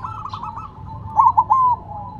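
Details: Silver zebra dove set down on the ground, with one short bright phrase of two quick rolled notes and a smooth held tone near the end, preceded by softer cooing and low rumbling background.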